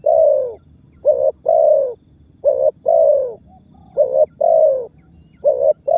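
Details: Spotted dove giving calling and pressing notes, used as a lure to set other birds calling and draw target birds toward trappers; low hollow coos in pairs, a short note then a longer drawn note, repeating steadily over a faint low hum.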